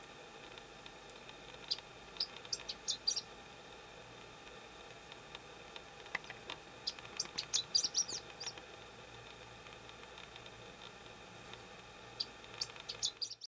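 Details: Song of a chestnut-eared bunting at Kuju Plateau, 27 May 2017, taken on a Canon EOS Kiss X3: brief clusters of thin, high chipping notes repeated every few seconds over constant broadband hiss and faint rustling.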